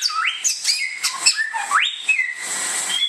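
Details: Samyong, the bare-throated whistler of Indonesia, sings clear whistles. Two long rising sweeps each end in a held high note, mixed with short chirps and a steady hiss behind.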